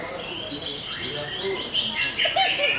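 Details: Greater green leafbird in a short burst of fast, shrill, twittering song, sliding whistles and scratchy notes packed closely together over a steady background hiss.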